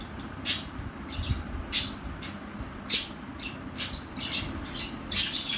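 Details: Pair of pet budgerigars calling with bright, high, clipped chirps repeated roughly every second, interspersed with softer twittering notes, against faint low background hum.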